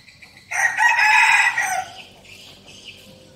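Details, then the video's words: A decoy red junglefowl's crow: one loud, hoarse, smoothly sustained phrase of about one and a half seconds that trails off, with faint high chirps afterward. "giọng gáy của gà rừng mồi"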